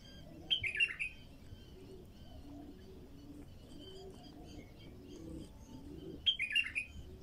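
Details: Two rapid, rich warbled bulbul phrases, about six seconds apart, from a raw song recording used to start wild bulbuls singing. Soft low cooing of doves runs underneath throughout.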